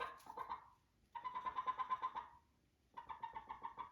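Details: A pet chicken making odd, terrifying-sounding noises: a short nasal burst, then a rapid run of raspy pulsed notes lasting about a second, a pause, and another fast pulsed series.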